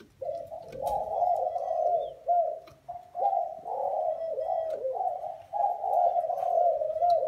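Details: Spotted doves, Thai and Vietnamese strains, cooing together. Mellow, throaty phrases run one into the next in near-continuous overlapping bouts, with short gaps between bursts.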